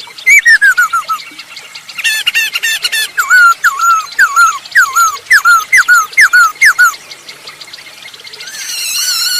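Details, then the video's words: Loudly singing masked laughingthrush, played to draw other birds into song: a falling whistled phrase, then about eight sharp down-slurred whistles repeated roughly every half second, amid constant high chattering from other birds. "Burung poksay hongkong gacor untuk pancingan"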